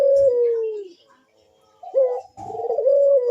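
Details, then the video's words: Sustained, slowly falling coo from a puter dove in bekur style, then a pause, a quick rising note and a wavering level coo. A faint tap is heard at the start. Played as a lure to invite other doves to call. "Burung puter Rajanya bikin gacor‼️suara Bekur besar super tajam manggung merdu mengundang bunyi"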